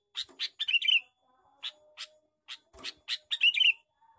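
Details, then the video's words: Male sooty-headed bulbul giving a lure call: short bursts of harsh, chattering notes in quick clusters, about four bouts with brief pauses, the last ending in a scratchy rising flourish; a faint low hum underneath. "suara pikat burung kutilang jantan gecor cor cor"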